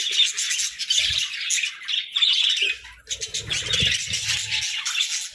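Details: Captive budgerigars chirping together: a dense continuous warbling chatter of overlapping chirps and squawks, with occasional low knocks and rustles.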